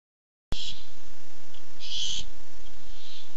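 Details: Barn owl at a nest-cam site, coming by looking for food, 7 August 2015. Harsh, hissing screeches: a short burst near the start, a longer rasping one after it, then a fainter third.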